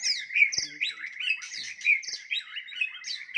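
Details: White-rumped shama performing a fighting song to provoke rival birds: bright, loud whistled phrases repeating in quick bursts, with buzzy high notes, and one sharp click near the start.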